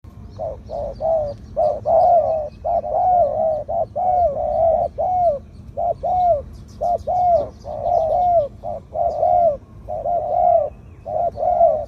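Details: Spotted dove, a medium-voiced bird suited for use as a decoy and placed on the ground, singing the two-kuk 'ku-ang' style: a short coo followed by a longer arched coo, repeated about once a second with little background.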